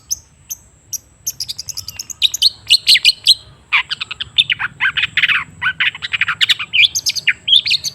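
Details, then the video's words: Long-tailed shrike song serving as a stimulus for a silent bird: sparse clicks at first, building into a dense, raspy, chattering warble of harsh and squeaky notes. "Suara TERAPI pancingan cendet macet supaya rajin bunyi..!!!"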